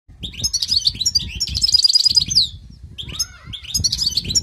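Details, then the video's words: European goldfinch singing a bright, tinkling twitter of quick high notes with a fast liquid trill in the middle, a brief pause, then renewed chattering phrases, over faint low background noise. "تغريد حسون جاهز goldfinch singing"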